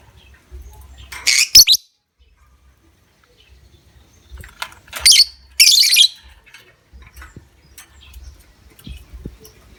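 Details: Lovebird lure sound meant to provoke other lovebirds into long ngekek trilling: a rasping high burst early on, then two more close together near the middle, each harsh and broadband, separated by near silence with faint ticks.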